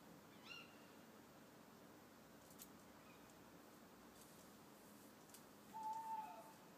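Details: Owl calling from a garden, giving a single short, steady hoot near the end, after a few faint, high, thin chirps from other birds over a quiet background.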